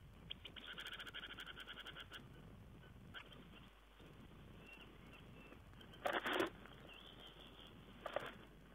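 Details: Tawny owl, 4 June 2010: a soft rapid chatter at the start, then two loud, hoarse, breathy screeches spaced about two seconds apart against a quiet hissing background.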